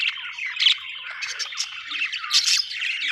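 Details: Budgerigar chirping in a dense, continuous chatter of squeaky warbles and harsh squawks, with bright bursts around the middle and end and no other sounds.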